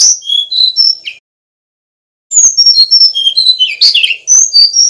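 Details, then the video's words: Male Brown-chested jungle flycatcher, Bali, sings a short whistled phrase, pauses, then a long lively stream of clear high notes and slurred chirps; used as a master recording for young birds. "Kicau Burung Sikatan Rimba Dada Coklat (SRDC) Bali Jantan Nyuling Gacor Isian Keluar"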